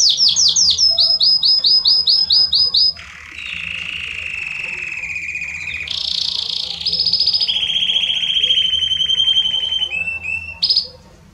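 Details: Belgian canary singing in the loud 'estourado' style meant to warm up other canaries: quick high chopped trills, then long buzzy rolling tours at lower pitch, shifting to a brighter rapid roll, and ending in short high notes.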